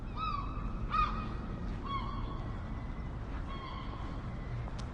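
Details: Gulls give a few loud, drawn-out yelping cries with ringing overtones, spaced about a second apart, over a constant low background roar.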